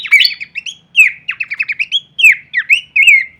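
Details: Kleperan-style song of Horsfield's babbler, used as masteran material for teaching songbirds: short bursts of sharp, down-slurred whistled notes and quick rattling strokes, separated by brief pauses, clean and loud.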